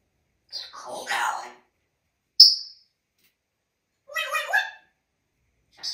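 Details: Male pet African grey parrot, hatched in 1997 and kept in a home in Texas, talking: two short speech-like phrases separated by a sharp high whistle near the middle, then a final brief utterance, in a quiet room.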